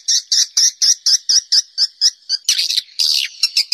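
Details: Natural swiftlet calls from a cave: evenly spaced, high, squeaky chip notes, about two each second, then a louder burst of harsh, overlapping twitters.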